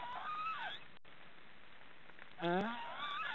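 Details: Nest of three young black storks in Estonian forest, the chicks snoring. A whining tail of one call opens the clip, then quiet hiss, then a fresh hoarse rising call near the end.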